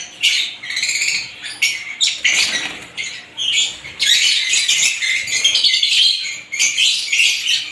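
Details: Lovebirds of several kinds chirp in shrill pulses at first, then break into a long, loud, continuous scramble of overlapping raspy calls.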